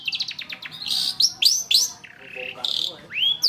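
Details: Training lure recording of long-tailed shrike song: a quick rattling series, then buzzy bursts, rising slurred whistles and a long, arching whistled note, all delivered in a rapid jumble.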